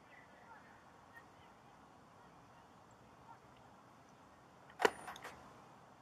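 A great spotted woodpecker gives one sharp, high 'kik' near the end, followed by a couple of fainter ticks, against an otherwise quiet background.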